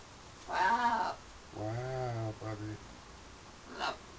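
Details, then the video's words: Indoor pet parrot in London courting its reflection and outdoor birds, giving two speech-like harmonic calls, the second longer and held, then a brief clicky note. "My bird flirting in the mirror & to others out the window somewhere in London."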